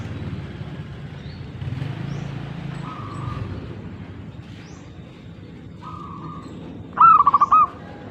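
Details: Zebra dove giving one short, rapid, bubbling coo trill near the end, after faint steady tones over a constant low rumble of background noise.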